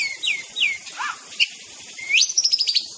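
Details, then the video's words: White-rumped shama song: two downslurred high whistles, a lower swooping note, then a rising whistle into a fast run of bright, repeated high chips. "SUARA BURUNG MURAI BATU GACOR COR"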